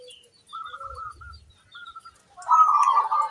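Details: Local zebra dove, used as a lure for other zebra doves to answer, gives soft fluttering trilled notes, then a louder, rich rolling coo at the end; faint high calls of other birds and a low rumble.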